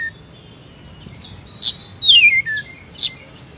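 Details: Oriental magpie-robin (kacer) singing energetically: scattered sharp high clicks and a clear whistled phrase sweeping downward, with faint background hiss between notes.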